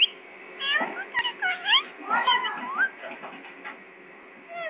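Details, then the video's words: Parrot labelled Pakistani, chattering in a quick run of short, sweeping whistled notes, some rising and some falling, dense in the first three seconds and then tailing off into sparse faint chirps. "parrot pakistani"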